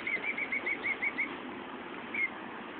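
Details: Protective nesting female bird outside an office window, scolding as people come near; a quick burst of about eight short, high, clipped notes, a pause, then one more note, against steady broadband hiss.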